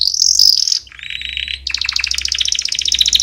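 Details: Singing canary, recorded as training song for young birds: a bright sustained high trill, a lower buzzy roll, then a fast pulsing series of sharp repeated notes.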